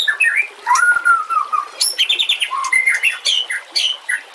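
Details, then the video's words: White-rumped shama singing, recorded as a master track for training other shamas, with nature sounds and trickling water: a long, smooth, falling whistle, then quick bright notes that hop higher, over a steady watery hiss. "Masteran murai TERAMPUH yang di pakai semua burung juara"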